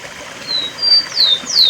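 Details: Rufous-collared sparrow singing near a cemetery, set against waterfall sounds: two thin, level whistles followed by sharp, descending slurred notes, with a soft, steady rush of water underneath.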